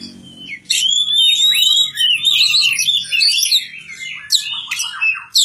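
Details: Young hand-reared magpie-robin in a village setting singing long, fluid whistled phrases and rapid varied notes, with a faint low background hum.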